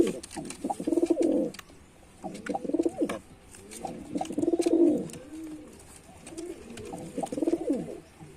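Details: Deep, bubbling coos from a male white pigeon performing, four pulsing bursts with brief quieter gaps, low and resonant throughout.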